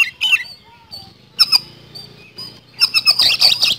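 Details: Oriental magpie-robin (kacer) singing hard in a rapid speed-roll style used as a lure: brief bursts of harsh, clicking high notes and squeaky whistles, separated by quiet gaps with a low hum.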